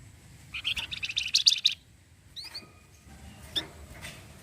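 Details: A busy rattle of rapid, high, buzzy notes lasting just over a second comes from an orange-headed thrush (flamboyan) in its 'cretetan' chatter, said to make other birds reply, followed by a few thin, isolated notes.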